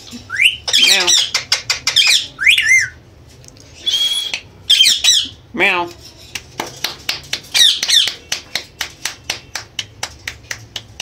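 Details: Pet Indian green ringneck parrots imitating a cat's meow and human words: several drawn-out wavering meow-like calls, then a long series of short sharp clicks and chirps speeding up toward the end, indoors.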